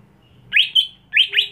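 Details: Greater green leafbird, a home-kept captive bird being trained to sing boldly at a songbird contest. Four loud, clear whistled notes in two quick pairs, each sweeping upward then level, high-pitched, over a faint low hum.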